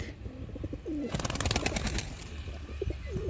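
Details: Pigeons in Shirwali village, Maharashtra, a flock of about twenty with chicks among them; low, soft curving coos near the start and end, a burst of wing flapping in the middle, and rural background noise.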